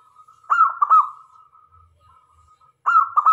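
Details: Singing local zebra dove used to call other doves closer: a rolling string of quick coos running into a long faint held note, then a fresh bubbling phrase starting at the end.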